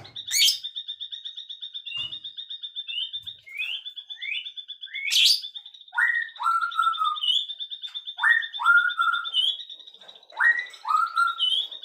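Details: Bird heard in the afternoon repeating a whistled phrase three times, each a sharp upward sweep followed by a falling glide, with short chirps between and a continuous fast pulsing trill behind.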